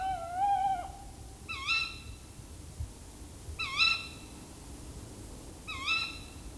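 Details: Tawny owl in a tree, mixed with other tawny owl sounds, gives alarm calls: a longer opening note, then sharp, nasal, dipping-then-rising calls repeated about every two seconds over a low background rumble.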